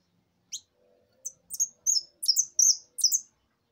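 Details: Mistito in 'maquina' song style: high, sharp chirps building into a rapid series of sliding, slurred whistled notes, about six bursts within three seconds, over a clean quiet background.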